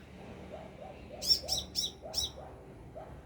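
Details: Sunbird calling from about two meters overhead: four bright, piercing high notes in quick succession, over softer lower chirps from elsewhere.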